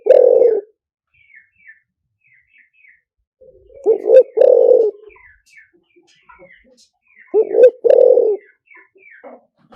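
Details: Three repeated spotted dove song phrases, liu tan style decoy singing: each a double hoot leading into a sustained low coo, spaced roughly every four seconds, with scattered faint twittering of small birds in the background.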